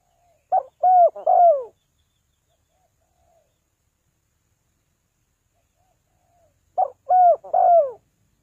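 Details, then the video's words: Spotted dove calling in a style used to lure birds down, three-note pattern: two bursts of low, mellow coos, each a short note followed by two longer down-slurred coos, separated by about five seconds of silence. "เสียงนกเขาใหญ่ 3กุกห้อย เรียกลงกุก2กุก"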